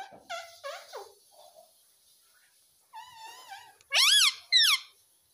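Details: Pet baby ringneck parrot starting with short, bent chirps, then a thin wavering squeal. Two loud, harsh arched squawks end the sequence about half a second apart.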